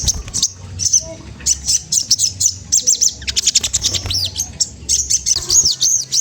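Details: Magpie-robin singing to provoke a rival: rapid high, thin whistled notes, many falling or arched, in quick bursts of repeated phrases with short pauses, and a low hum beneath.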